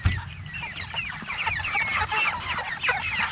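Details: Six-week-old meat chickens starting to make more rooster-like noises, practicing their little crow; many overlapping squeaky, rising chirps and cracked crow-like notes from a crowded flock, with faint background music.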